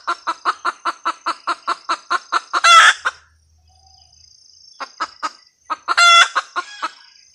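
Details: Red junglefowl hen giving a cackle: quick regular clucks building into a loud harsh squawk, a lull, then a few more clucks and a second ringing squawk; high insect buzz behind.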